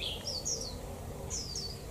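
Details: On a chilly 11 °C day, a Japanese white-eye gives 'họa kép' song with 'líu thung' phrases: quick strings of high, thin whistled notes tumbling downward in two bursts, over steady background noise.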